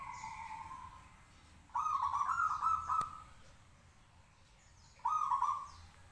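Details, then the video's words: Caged local zebra dove singing to provoke replies from other doves: a long trilled, bubbling coo phrase followed after a pause by a shorter one, steady pitch, with a single sharp click and quiet background noise. "perkutut lokal gacor manggung 10 menit bikin nyaut lainya"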